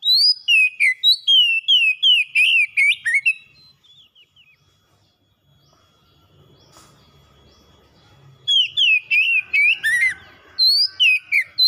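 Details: Pet oriental magpie-robin (kacer) singing repeated bursts of loud whistled, slurred phrases, some rising and some falling, about three seconds long, then a quiet pause with faint low background noise before the fluent phrases resume.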